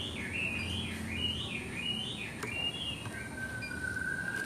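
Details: Chinese hwamei song, faint against low background rumble: a run of looping whistled phrases rising and falling, then a long steady whistle at the end.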